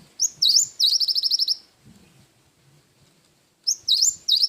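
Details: Cinereous tit song in the wingko fill style. Rising whistles lead into a quick, buzzy trill of high notes. After a quiet gap a new phrase starts the same way.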